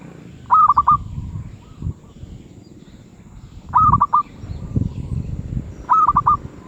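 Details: Medium-voiced zebra dove cooing in loud stuttering bursts of several quick notes, three phrases roughly two to three seconds apart, with low knocks and thuds underneath.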